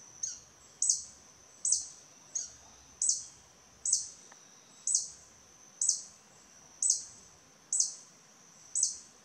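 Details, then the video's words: Territorial male violet sabrewing in the wild in Costa Rica, vocal in defending its territory against other hummingbirds, giving sharp, high chips with a short descending tail about every 0.7 to 1 second over a steady high hiss. "The Agressive Violet Sabrewing"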